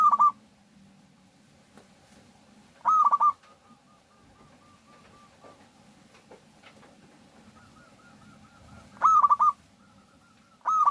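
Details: Local zebra dove cooing as a lure so other doves start singing; four loud stuttering phrases at uneven intervals, with faint, softer drawn-out coos from other doves between them and low background rumble.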